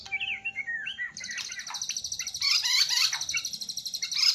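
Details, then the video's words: White-rumped shama singing a rich filler-laden song: varied whistled slurred phrases open, then a dense rapid high buzzing trill runs continuously beneath sharp chattering and whistled notes, building louder toward the end. "MURAI BATU KAPTEN JRG || IDENTIK GAYA SUJUDNYA ,TEMBAKAN ISIANYA YANG MEWAH"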